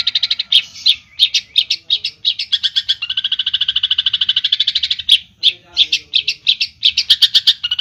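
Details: Long-tailed shrike from Java in lively, clear isian filler song: a fast stream of high chattering notes running into a long even rattle, then choppy repeated chips that grow louder toward the end.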